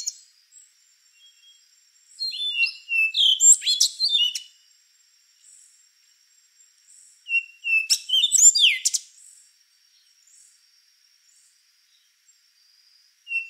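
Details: Rufous-brown solitaire song: two well-spaced phrases, each opening with a thin steady whistle and breaking into a cascade of sharp, ringing, quickly changing notes, with near silence between them.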